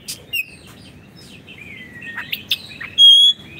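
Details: Oriental magpie-robin (kacer) song for tutoring caged birds that stopped singing: sparse soft whistles and a drawn-out falling slur, a few clicks, then one loud pure whistled note near the end.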